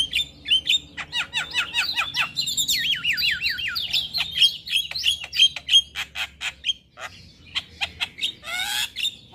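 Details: Morning song of a male Javan myna in full, lively fill-in style: rapid chirps give way to a wavering, warbling whistle, then sharp ticking notes and a harsh rasping burst at the end.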